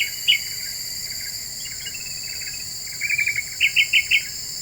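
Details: Very vocal Black-winged bulbul lure song that supposedly angers other birds: scattered soft chips, then a fast buzzy trill followed by four loud evenly spaced whistled notes, under a continuous insect-like whine.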